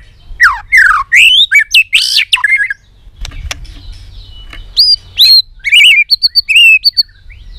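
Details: White-rumped shama in excited, many-voiced singing with tail-flicking: dense fast whistles and sharp chips, a short quiet gap, then clear rising whistles and quick repeated high notes.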